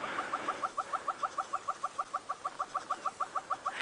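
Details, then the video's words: Hornbills hidden at the tips and tops of a big knobthorn tree on an evening bush walk, possibly a territorial display, give a steady run of hollow, clucking double notes, about three a second, mid-pitched, over faint hiss. "It sounds like hornbills."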